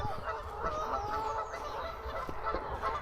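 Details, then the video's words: In February near the River Trent and the canal at Rugeley, beside flooded land, a flock of Canada geese honks continuously, a dense overlapping chorus of nasal, mid-pitched calls with no pauses, over a low rumble. "And you can hear lots of geese."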